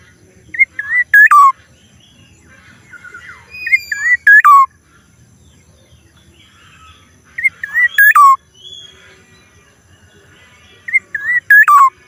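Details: Strange sound of a black-naped oriole. A phrase of soft rising whistles leads into two loud ringing notes, the last one dropping in pitch. It is repeated four times at intervals of roughly three to four seconds.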